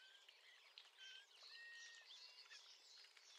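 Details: Eurasian blackcap male, roughly 30 m off, heard from a kitchen window: a dense, lively warble mixing rapid chattering notes with short, pure whistled slurs throughout.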